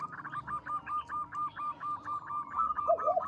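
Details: Local zebra dove in full song, described as loud, long and melodious: a soft, rapid, steady series of mellow cooing notes, about seven per second, running for over three seconds at low volume.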